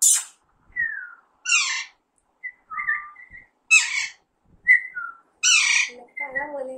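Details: Young Alexandrine parakeet mixing short, clear, downslurred whistles with loud, grating squawks, roughly one call a second and unevenly spaced, ending in a lower, hoarse, nasal note.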